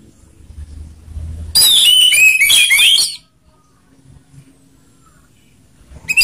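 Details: Orange-headed thrush, ngeplong song mixing rough and slow voices to coax other birds to sing: one fast, tangled phrase of high twitters and whistles lasting about a second and a half, then a low hum and silence.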